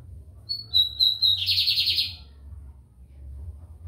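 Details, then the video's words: Song of a lined seedeater from São Luís, Maranhão: a short series of clear high whistles that breaks into a dense, buzzy trill, then quiet with a low background rumble. "BIGODINHO AMERICANO / 15 MINUTOS SÓ DE CANTO"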